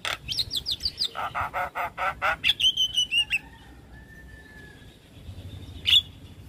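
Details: Javan myna in full song used to draw other mynas to respond: a rapid run of about ten harsh pulsed notes, then a whistled slurred phrase, a long thin steady tone and one final sharp chirp.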